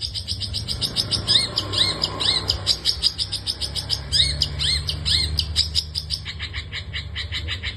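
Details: Long-tailed shrike singing actively in a full 'isian' song style. A dense run of short sharp notes with quick rising-falling slurs, about two per second, over a steady low hum.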